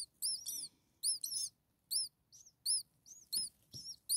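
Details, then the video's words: Begging from a brood of six common starling chicks only a few days old: sharp, high, arched peeps given singly and in pairs, roughly one burst per second, with faint low rustling. "Hungry Six Starling baby birds"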